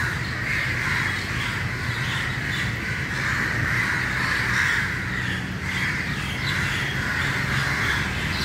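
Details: Crows crowded together at dawn, a thick chorus of rasping caws, some louder calls rising above the constant clamour and low background noise.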